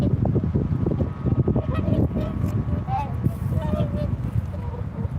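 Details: Honking swan calls, short nasal notes given in loose series by more than one bird, set against heavy low-pitched background rumble.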